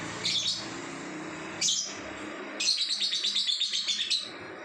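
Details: Lovebird singing 'ngacor': two short shrill chirps, then a long fast chattering trill of around a dozen rapid repeated high notes lasting over a second and a half.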